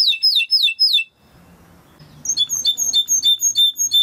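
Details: Timbrado canary training song. It begins with four clear descending whistled notes, then a second of near silence with a faint low murmur. A steady series of sharp chipped notes follows at regular intervals.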